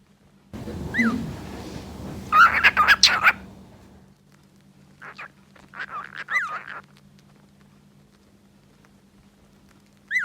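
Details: Two pet cockatiels give bright, harmonic chirps and short rising-falling whistles over a low background hum.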